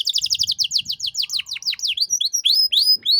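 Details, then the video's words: Canary master song for tutoring young birds: a rapid run of repeated chirping notes speeding into swooping downward slurs, then high whistled notes and quick trills, loud and continuous. "Masteran Kenari Gacor Cengkok Mewah untuk Burung Bahan"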